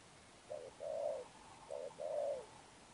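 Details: Sấm Thổ cooing from a newly caught spotted dove: two pairs, each a short soft note then a longer steady coo, mid-pitched with quiet background.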